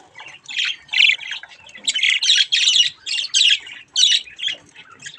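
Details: Young budgerigars having fun at a mirror: a run of loud, harsh, buzzy squawks, each about a third of a second, in irregular quick succession.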